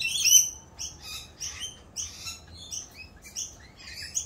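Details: Rainbow lorikeets, raucous in mating season while doing a mating dance; a steady run of short, shrill screeches with strong harmonics, roughly two or three per second, occasionally overlapping.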